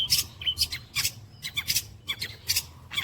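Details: Long-tailed shrike imitating kuntilanak, greja, petir and walang kecek: rapid series of harsh, rasping high notes mixed with short chips, about two bursts per second, low hum behind.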